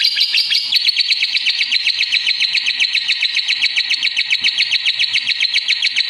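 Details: Lovebird chattering in a fast, rapid series of high chirps, about four notes a second, forming a steady unbroken trill throughout.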